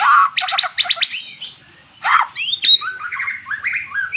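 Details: Previously silent magpie-robin brought into song by recorded magpie-robin song; harsh grating bursts, then a string of fast warbled whistles climbing and dropping.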